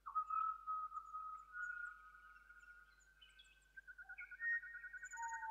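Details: Pied butcherbird singing early morning in a gully in the Bungle Bungles, recorded during a four-night walk; long pure whistled notes held steady, then a rapid series of short repeated piping notes and a few higher whistles.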